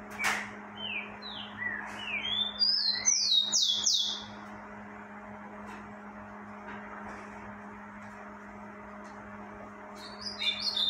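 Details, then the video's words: Rufous-collared sparrow singing a lot during breeding season: a few slurred, falling whistled notes, then a fast high trill, with a steady low hum behind and a faint high note near the end. "tico tico cantando muito dentro de temporada"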